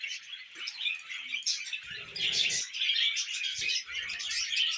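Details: Pet budgerigars chattering in continuous high, scratchy warbles with quick chirps and squeaks, the stream brightening and growing louder after two seconds, with soft low thumps from movement underneath.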